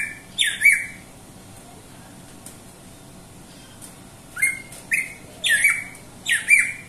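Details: Greater green leafbird calling with rough, falling squawks, one pair early, then a run of four closely spaced harsh notes near the end.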